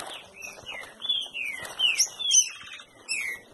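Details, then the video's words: Green-winged saltator (trinca-ferro) at a breeding facility, singing a string of short, slurred whistled notes, some rising and some falling, delivered in quick uneven bursts with little background noise. "Trinca ferro"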